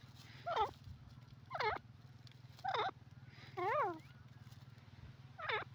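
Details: A francolin gives five separate calls about a second apart. Each is a harsh, harmonic, down-slurred note, and the fourth is a stacked, wavering phrase. A steady low hum runs throughout.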